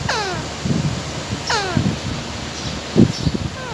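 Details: Parrot calling while eating: two falling squawks with a third fainter at the end, amid crunching and tapping sounds of food.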